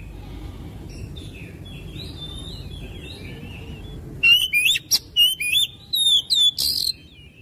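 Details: Oriental magpie-robin singing to stimulate another bird to sing. Faint distant whistles in steady background noise give way to a loud, fast burst of varied whistles and sharp chirps lasting about three seconds.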